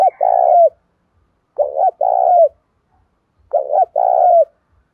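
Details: Spotted dove singing in the đồng pha style, a fight-provoking song meant to spur captive doves to coo and cage birds to sing. Low cooing phrases of two short notes and a longer rolling coo recur about every two seconds.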